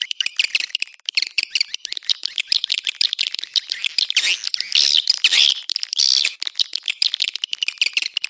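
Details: Swiftlet attraction calls in the Anak Muda style: a steady stream of rapid high clicking chirps from many birds, with occasional louder drawn-out buzzy twitters in the middle.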